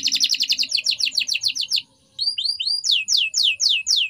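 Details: Canary singing a training song: a fast rattling trill, a short silence, then a series of arched whistles and downward sweeping notes repeated about every third of a second.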